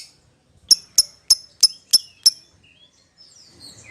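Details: Lovebird calling a companion with six sharp, high chirps spaced about a third of a second apart, followed by faint twittering.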